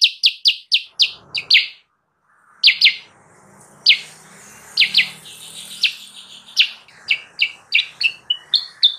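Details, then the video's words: Kutilang sutra heard as a lure for wild birds: a quick opening run of sharp chirps, then a pause, then scattered single and paired high chips that grow busier toward the end. "suara burung kutilang sutra gacor!!! pancingan dan pemikat burung kutilang sutra liar"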